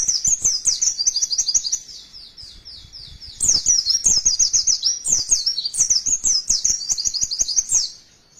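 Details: High-pitched white-eye song in two long bursts of fast, thin twittering notes with downward slurs, separated by a brief lull, with light ticking underneath.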